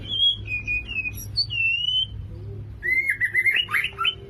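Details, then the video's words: Male white-rumped shama courting a female: clear whistled phrases near mid-high pitch, some sliding and wavering, then a louder burst of rising, twisting notes in the last second and a half; low hum underneath. "Birahi Murai Batu Jantan Merayu Betina"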